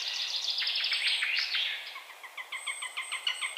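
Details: Eurasian sparrowhawk giving a loud, scratchy chatter that breaks into a fast series of short, harsh, repeated notes, roughly three per second, while faint thin high whistles of other birds sound in the background.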